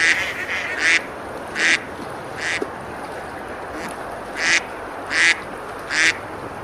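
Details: Summer ducks quacking while eating on a river at Besalú, Spain: a few overlapping harsh quacks early, a gap with a soft splash, then three more evenly spaced nasal calls.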